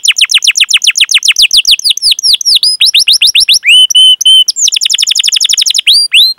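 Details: Canary performing long cuit-cuit calls and ngerol rolls as a master track to provoke other canaries into song: rapid descending chirps, slower curved notes, two short steady whistles, then another fast chattering trill.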